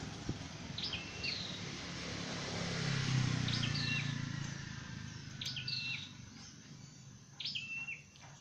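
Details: Dark-necked tailorbird, kept for training and trapping, repeating a brisk high phrase of quick upswept notes ending in a level whistle, four times in eight seconds, with steady low rumble and hiss underneath.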